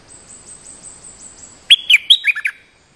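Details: Bulbul lure sound for drawing out a territorial resident bird that attacks fiercely: faint thin high notes repeat at first, then a loud burst of short, bright chirping whistles over about one second, with a quiet background.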